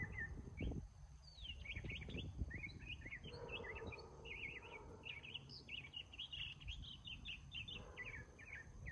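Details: Northern mockingbird, a male, singing several of its songs in the morning: rapid varied phrases of chirps and sweeping notes, each repeated a few times before switching, over steady low background rumble.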